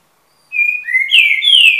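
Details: Eight-month-old young Green-winged Saltator singing a short phrase of clear whistles: a level tone, then a rising one, ending in a louder downslurred, richer whistle, all in a quiet, clean recording.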